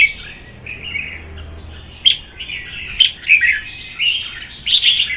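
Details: Red-whiskered bulbuls provoked into competitive singing in cages: quiet, slurred warbles at first, then loud, buzzy-edged whistled phrases from the second second onward, peaking in a bright flourish at the end.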